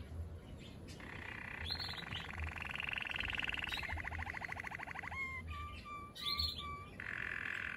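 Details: Male Waterslager canary singing: low, rolling trills and a rapid bubbling rattle give way to a run of clear, evenly spaced whistled notes, with brief higher chirps between phrases and a steady faint hum underneath.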